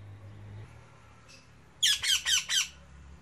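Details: Indian ringneck parrot perched in a tree gives four harsh, rasping screeches in quick succession after a quiet start with low background hum.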